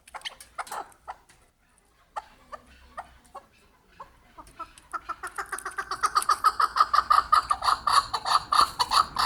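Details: Chukar partridge (Alectoris chukar) in Kyrgyzstan giving a clucking call, a few scattered notes that build into a fast, steady run of harsh chuck notes, several each second.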